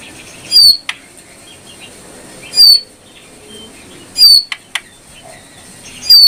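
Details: Song of a brown prinia, a piercing high note repeated roughly every one and a half to two seconds, each followed by a short click, against near-silence.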